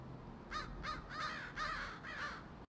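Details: Crows in a tree calling: five loud, harsh caws in quick succession, each hoarse and slightly falling, over faint background noise.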